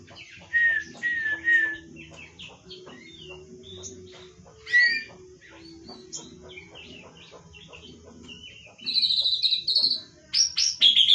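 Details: Forest white-rumped shama from Lampung in nembak cililin song: varied clear whistles and slurred rising notes in separate phrases, ending in loud high rapid chattering bursts, with a low steady hum underneath.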